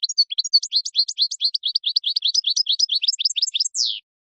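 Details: European goldfinch delivering forceful 'raad' mating song to excite a female: dense, fast metallic twittering notes run for over three seconds, ending in a longer descending buzzy slur.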